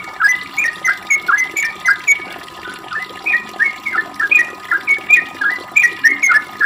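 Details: Continuous ropel song of a sooty-headed bulbul, meant to coax others to sing: clear, slurred whistles in quick clusters with brief gaps, steady and bright.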